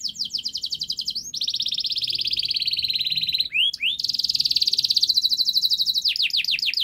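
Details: Canary singing on a recording for coaxing quiet canaries into song: sweeping notes leading into long dense buzzy rolled trills, brief rising slurs between, and ending with downward-swept repeated notes.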